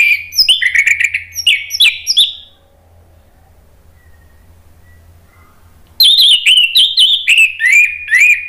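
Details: Orange-headed thrush song used as a lure to coax caged birds to sing: rapid, varied whistled and scratchy phrases in two lively bursts, separated by a few seconds of near silence with a faint low hum.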